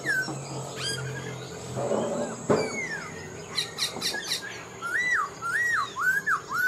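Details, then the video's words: Caged Black-throated laughingthrush, caught wild as an older bird, sings among clatter and knocks, closing with a string of loud looping whistled notes repeated roughly twice a second. "Khướu bạc má mộc dở chim già rừng, hót tốt giọng hay"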